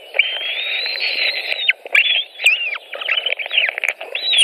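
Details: White-tailed eagle feeding at a nest in Latvia on 23 June 2018 in the afternoon: one drawn-out high whistle followed by a rapid jumble of short, squealing, down-slurred notes with clicks and rustles.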